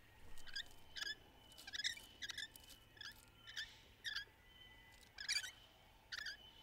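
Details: Rainbow lorikeets playing in trees during courtship: a series of short, sharp chirping calls, about one every half second, ringing over a steady low background hiss.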